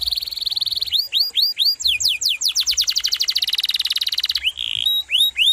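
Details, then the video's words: Canary singing a tuneful sequence: a high trill, rising hooked whistles, a run of fast descending sweeps blending into a dense rolling trill, then a brief buzz and more upswept whistles. "Masteran KENARI GACOR"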